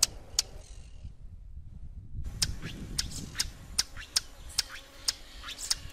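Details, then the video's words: Swallow-tailed hummingbird giving sharp, high, dry chip notes, spaced roughly half a second apart, with a brief pause before the series resumes, over a rumbling low background noise. "Canto del Colibrí Golondrina"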